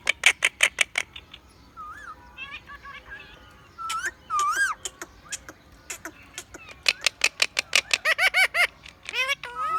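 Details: Male Indian ringneck parakeet, ten years old, a pet known to talk in Hindi, laugh, whistle and copy cat voices; quick series of sharp clicks and squawks mixed with swooping whistled and word-like sounds, bursts repeated rapidly.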